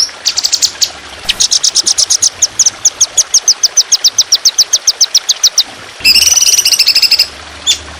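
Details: Trotolan songbird in fierce, long, rough continuous training song: a long, evenly paced series of high sharp repeated notes, then a dense buzzy trill and a final chip.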